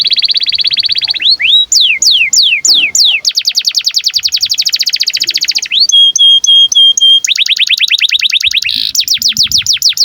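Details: Canary in breeding condition, singing to prompt and tutor young canaries: a loud, fast song of repeated high phrases, first steady whistled notes, then rapid downward-sweeping trills and buzzy rolls changing every second or two.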